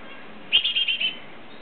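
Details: A young Great tit leaving its second nest gives one short, bright chattering burst of about five quick, high notes run together over roughly half a second, with faint background hiss.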